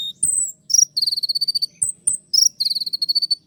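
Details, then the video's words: Kolibri ninja sunbird singing loud, shrill 'tembakan' phrases: a thin high whistled note, then fast rattling trills of rapid piercing notes, repeated in dense bursts with short pauses. "masteran kolibri ninja dengan full suara tembakan"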